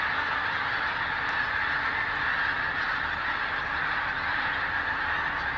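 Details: Flock of geese in flight at dawn, Invergowrie Bay near Dundee, 19 October 2016: continuous massed honking that blends into one steady roar of many birds, level from start to finish.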